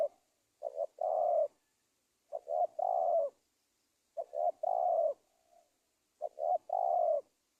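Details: Spotted dove call played to lure wild doves for trapping: four phrases about two seconds apart, each two short low notes running into a longer hoarse falling coo, with a faint soft coo between phrases.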